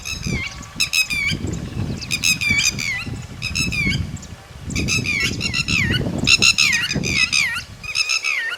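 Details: Tateri, the red-wattled lapwing, calling near its chicks: repeated bursts of shrill, harmonic notes that dip and rise, roughly one burst a second, over steady low-pitched rumble.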